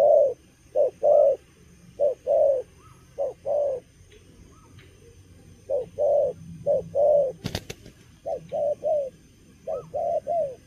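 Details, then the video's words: Moulting young wild-caught spotted dove giving its halting cà lăm lỡ coo: bursts of short hoarse hoots separated by a pause of a few seconds, then a sharp click before the cooing resumes in clipped groups. "Bổi tơ gù cà lăm lỡ, đang mùa thay long mà quá hăng"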